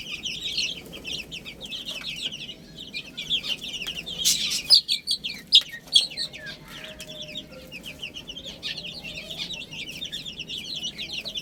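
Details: A group of chicks eating spinach keeps up quick, high, downward-slurred peeping, with a cluster of loud clicks midway.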